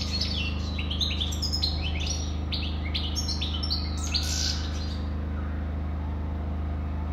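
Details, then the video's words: European goldfinch singing a quick twittering run of bright, tinkling and slightly buzzy notes for about five seconds, then falling silent, over a steady low electrical hum. "Καρδερίνα,chardonneret,goldfinch the best"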